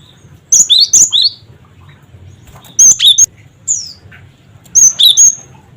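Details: Cret cret wucit calls of a cinereous tit, played as therapy and a lure for other birds: three clusters of piercing high whistles, each a fast run of three or four clipped, slurred notes with short pauses between.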